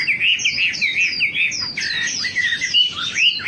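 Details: Wambi bird song for luring birds into frequent singing: loud, wavering, warbled whistles in a quick up-and-down pattern, then a brief jumble of overlapping chirps.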